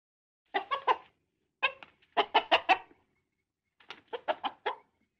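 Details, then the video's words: Hen clucking in four quick bursts, each of three to four harsh, rough clucks in rapid succession, separated by short pauses; no other sounds. "Hen sound effect"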